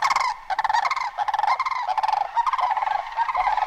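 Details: Sandhill crane vocalizing in an almost unbroken stream of rolling, rattling pulses with strong harmonics, calls following one another with only brief breaks throughout.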